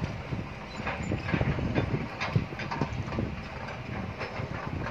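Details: Dense rumbling background with irregular rattling clicks and knocks, like machinery or traffic; no clear animal call.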